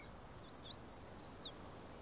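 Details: Black-chinned hummingbird, filmed in 1988 feeding on agave and century plant in the Chisos Basin of Big Bend National Park, gives a quick run of about seven thin, high chips over one second, ending in a sharper descending note, against faint hiss.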